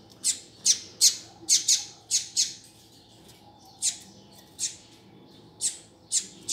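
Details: Double-collared seedeater giving short, high, piercing chip calls in loose clusters with brief gaps, against a soft low hum.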